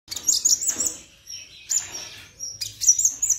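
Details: Plain-throated sunbird (konin) song used as a tutor recording, its song described as filled with imitations of other birds. High, thin, sharp chirps and trills in three bursts, with quiet gaps between them.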